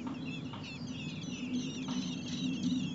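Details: Four common blackbird nestlings in a nest near a home, fed by both parents in heat above 30 °C; overlapping thin, high chirps and squeaks rise and fall continuously over a steady low hum.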